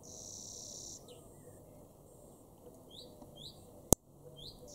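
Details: European greenfinch in a garden in Weener, East Frisia, far northwest Germany, June 2022: a drawn-out buzzy wheeze, then several short, high, down-slurred chirps, with a sharp click and low background rumble.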